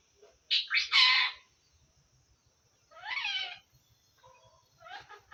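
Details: Pet parrot that talks in Assamese, saying things like "hello" and "o kaka". It gives a loud double-syllable utterance, then a quieter drawn-out phrase and a final brief call, with faint ticking in the background.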